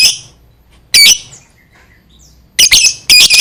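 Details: Lovebird ngekek chatter used to provoke other lovebirds into answering, with loud, piercing, high-pitched squawks in short separated bursts, several rapid harsh notes clustered near the end.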